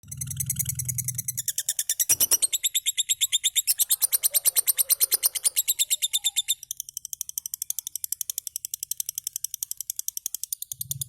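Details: Cobalt-coloured pet lovebird described as happy; a fast, steady run of sharp high chirps, roughly three a second, with a brief low rumble at the start and end.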